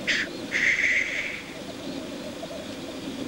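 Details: At a black grouse courtship lek, a short sharp hiss then a longer harsh rushing hiss stand out over a quieter steady low bubbling in the background.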